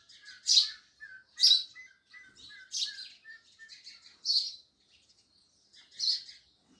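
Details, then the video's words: Loud sparrow chirping: strident chirps about once a second, interspersed with softer, lower chips and busy twittering from several birds. "Sparrows Loud Chirping Sounds"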